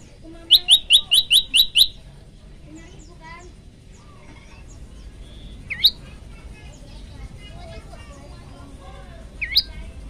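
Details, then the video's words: Olive-backed tailorbird singing as a training recording: a run of six quick bright chirps, then soft scattered twitters and two isolated swooping upward notes. "masteran handal prenjak lumut gacor variasi"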